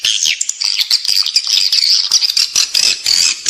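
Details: Edible-nest swiftlets calling, a recording to play inside a building so swiftlets come to nest: sustained high twittering and squeaky trills with a few sharp clicks.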